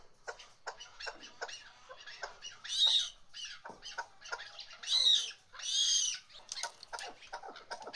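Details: Female chukar partridge calling: a busy series of short, harsh, broadband clucks and chattering notes with several louder, fuller bursts near the middle and end, over a quiet background.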